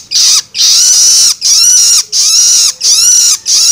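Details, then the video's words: A young Long-tailed shrike begs with loud, harsh, rasping calls, each about half a second long, in a steady run of roughly five in four seconds. "Suara Loloan Anakan Cendet"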